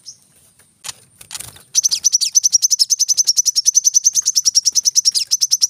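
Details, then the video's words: After a little rustling, a brown-throated sunbird breaks into a steady stream of fast, high, sharp chip notes in its rapid 'tembakan rapat' song style. "kolibri kelapa | manggar | wiceh | masteran temabakan rapat"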